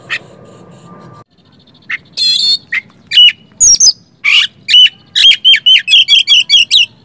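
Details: Oriental magpie-robin song for prompting reluctant magpie-robins to sing: a brief low hum, then scratchy harsh notes building into a quick series of loud whistled phrases repeated over several seconds.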